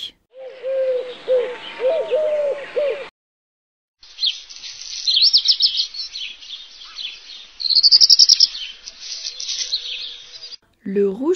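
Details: Black redstart (Phoenicurus ochruros), song.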